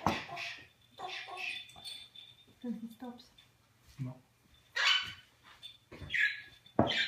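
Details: Eclectus parrot (New Guinea eclectus) that talks in English and Flemish, mimicking words in short, speech-like phrases, ending with several harsh, raspy squawks; a person's voice is briefly heard too.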